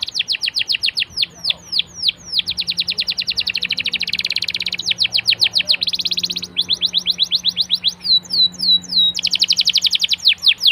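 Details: Canary lure song to make other canaries sing: long strings of sharp downslurred whistles alternating with fast rolling trills and a few liquid upswept notes, varied and continuous throughout.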